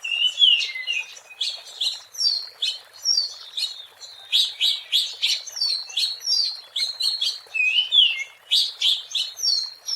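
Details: Oriental magpie-robin in the wild, song used as a lure: a steady stream of short sharp whistled phrases, each a quick downslur with a crisp click, repeated about twice a second for ten seconds.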